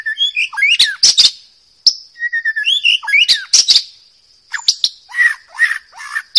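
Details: White-rumped shama from the forest singing loud, melodious phrases of whistled notes, sharp clicks and buzzy bursts, separated by short pauses, over a faint steady high background tone.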